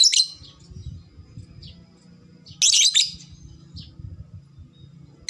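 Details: Lovebird sound for triggering long ngekek chattering in fighter birds: two loud, shrill, grating bursts about two and a half seconds apart, faint high chirps between, low rumbling underneath.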